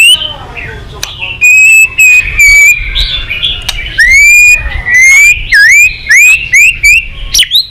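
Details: Murai batu in energetic full song, packed with imitated phrases and used to stir rival shamas into singing: clear, drawn-out whistles and upswept notes, with loud, bright ringing bursts repeated in quick succession.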